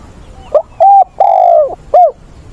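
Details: Spotted dove decoy, voice style giọng bổi ức chế, used for training wild-caught doves on 20/8, giving one phrase: a short catch note, a clear coo, a long drawn falling coo and a final hooked note.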